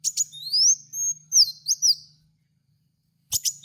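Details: Kowul sunbird lure recording: short clicks lead into a long rising whistle and several quick up-and-down slurs, then silence before another burst of sharp high ticks.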